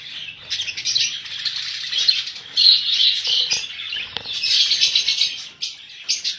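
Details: Many budgerigars held for sale chatter together in a continuous high warbling babble of chirps and squeaks, with brief pauses and a short dip near the middle.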